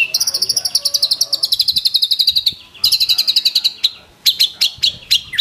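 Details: White-rumped shama singing rapid stuttering trills, long runs of fast high pulsed notes slowly falling in pitch, broken by a brief pause and sharper staccato bursts.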